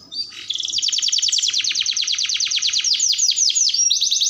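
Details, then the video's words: A canary used as a master song for training and luring sings energetically: a brief whistle leads into a dense buzzy trill that loosens into separated downslurred notes, then a fresh fast trill. "Pancingan KENARI Gacor Panjang || Suara MASTERAN KENARI"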